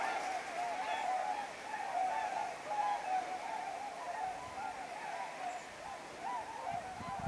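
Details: Whooper swans arriving as a flock at night, Shimokita Mutsu, Japan, 15 October 2015: a continuous chorus of soft honking calls, many birds overlapping, over steady background hiss.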